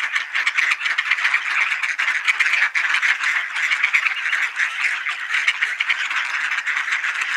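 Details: Ducks gathering for supper in Sainte-Adèle, Quebec, Canada, mid-afternoon on 9 November 2020, partly cloudy and 20°C, keep up a thick, unbroken babble of raspy quacking from many birds at once.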